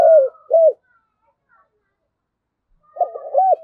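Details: Flock call of a decoy spotted dove: a falling burry coo and a rounded arched coo, then silence, then a murmured lead-in and another arched coo, with faint higher thin notes behind.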